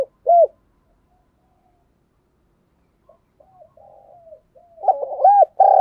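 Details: Spotted dove giving a coaxing coo meant to stir other doves into cooing: a single low hooded coo, a long quiet gap with faint murmuring, then a burst of rolling, slurred coos at the end.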